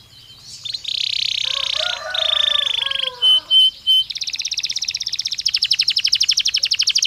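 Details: Belgian canary song used to warm up and train canaries: buzzy sustained rolls, three short pure whistles, then a long rapid trill of repeated notes that quickens and brightens.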